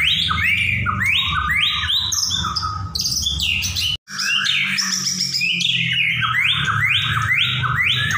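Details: White-rumped shama (murai batu) singing loudly: rich, rising whistled phrases repeated in quick series with scratchy higher notes, over a steady low hum, with a brief gap near the middle.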